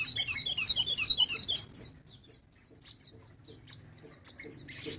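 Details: Sogon (crested jay) in full active song, recorded in 2020: a dense burst of fast, high, warbling trills, followed by scattered sharp chirps and a harsh noisy note at the end, with a low background hum.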